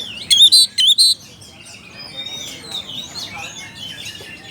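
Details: Oriental magpie-robin calling to a rival, giving two brief harsh rasps early on, followed by soft, distant chatter and twittering of other birds.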